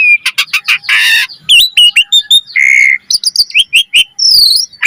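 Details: Asian pied starling in rapid varied song meant as a lure: clipped chips, a harsh rasping burst, twisting whistles, a long buzzy note and a final high slurred whistle.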